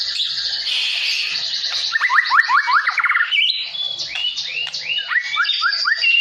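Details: White-rumped shama singing roughly and rapidly when provoked by a rival: buzzy chatter, then a series of quick upslurred whistles and hooked notes repeated more than twice a second.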